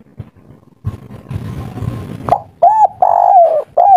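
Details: Local spotted dove singing in the kuk 3 style: after about two seconds of dull rumbling noise, soft, arched coos follow in a quick bouncing series of four notes.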